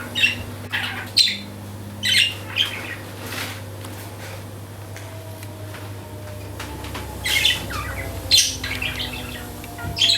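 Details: A friendly yellow budgerigar gives bright, scratchy chirps and short squawks in irregular bursts over a low indoor hum.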